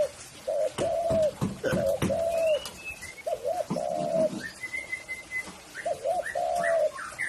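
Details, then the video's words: Tekukur, the spotted dove, cooing in low rounded notes, short coos leading into longer sustained ones, with knocking sounds and thin high whistles of other birds in the background. "SUARANYA BURUNG TEKUKUR"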